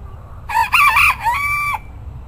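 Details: Bantam rooster crowing: a loud harmonic crow of about one and a quarter seconds, opening with a broken, wavering phrase, then a long steady held note that cuts off sharply, over a faint low rumble.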